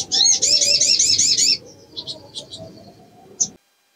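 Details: Female little spiderhunter in breeding condition luring males, opening with about eight quick, high wavering chirps, followed by soft twittering fragments and one sharp closing note.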